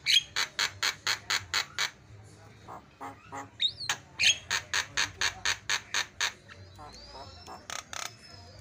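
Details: Javan myna (jalak kebo) tutor song with fast fill phrases: a rapid train of harsh, evenly spaced chattering notes about two per second, broken mid-way by squeaky whistles, then resuming before a thin drawn-out whistle.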